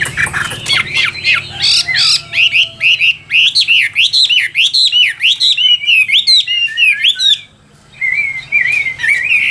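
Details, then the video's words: Chinese hwamei kept in a cage singing an energetic mix of harsh chatter, rapid looping whistles and high rattling trills, breaking off briefly then resuming with rising whistled notes. "Họa Mi Tam Hoàng Miệng Mỏ Như Máy Khâu, Điện Đóm Căng Hót Hét Bài Bản"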